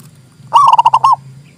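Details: Zebra dove song meant to get silent doves singing and to attract birds: a single loud, rapidly pulsed cooing trill lasting over half a second, rising then dipping at the end, over faint low hum.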